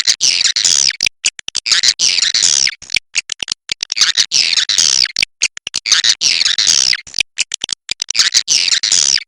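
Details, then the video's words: Swiftlet 'inap' sound: dense bursts of high, buzzy chirps and clicks, heavily layered, with chattering stretches of about two seconds separated by brief gaps. "SUARA BURUNG WALET INAP SELAMANYA"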